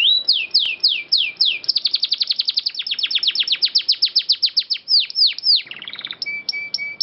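A canary sings a fast, rolling song of repeated down-slurred notes, shifting into quicker trills and ending with bright, clipped chips at a steady high pitch.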